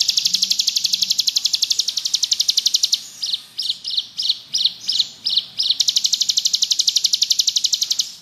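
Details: Bar-winged prinia singing energetically in the ngebrem style used for training songbirds: a fast, sharp high trill that breaks into about eight spaced, emphatic chip notes, then returns to the continuous rapid pulsing.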